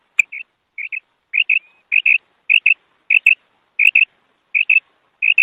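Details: Female quail repeating its high, clipped two-note kark call, about nine pairs in under six seconds, the rhythm slightly uneven, otherwise quiet.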